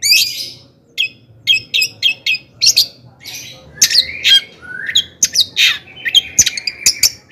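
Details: Long-tailed shrike singing excitedly, a recording meant to provoke other shrikes into song: a quick string of sharp chirps, then a dense run of slurred rising and falling whistles with clicks.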